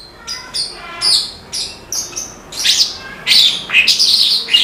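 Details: Australasian bush lark (branjangan) singing vigorously: a series of short, high chirped and buzzy notes in bursts, growing louder and denser toward the end, with faint background hiss.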